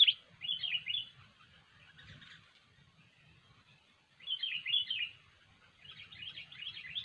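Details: Lively sooty-headed bulbul song for trapping lures: cheerful rolling phrases of three or four quick whistled notes, separated by quieter chatter and a pause of about two seconds.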